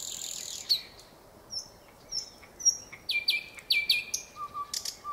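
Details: Nightingale phrases of high thin whistles and short sliding notes separated by brief gaps, ending on a lower steady whistle.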